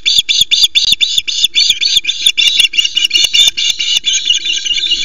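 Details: At a Loch Arkaig nest with a very late first fish, an osprey gives a rapid run of harsh, high chattering notes, about five a second, merging into a continuous shrill scream as female Mallie grabs the fish and flaps male Louis away; faint clicks and low hum.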